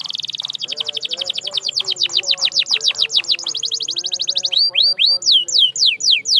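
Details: Training song for canaries: a fast rolling trill that slows into a series of sweeping downward slurred notes, a brief buzzy roll, then loud high descending whistled sweeps spaced evenly.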